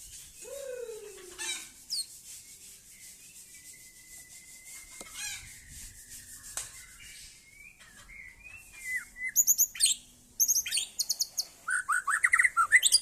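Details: White-rumped shama (murai Aceh) singing: a long sustained whistled note, then looping whistled phrases, ending in rapid high, sharp repeated chips and trills.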